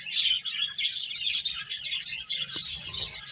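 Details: Continuous high chirping from several finches eating and playing, rapid repeated tweets and short whistled notes, one soft knock in the middle.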